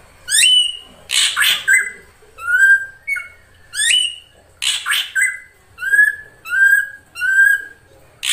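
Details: Ashy drongo, krantil saeran type, singing for a lure recording: upslurred whistles alternating with rough broadband notes, then a run of short, evenly spaced clear whistles.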